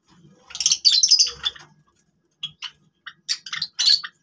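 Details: A burst of fast, overlapping high chirps from Java sparrows playing with grass, then a pause, then scattered sharp single notes picking up again.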